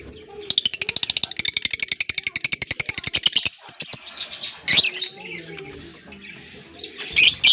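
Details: African lovebirds in a colony breeding setup give a fast run of sharp, high chirps, about four a second for three seconds, then scattered squeaky twitters, with faint music underneath.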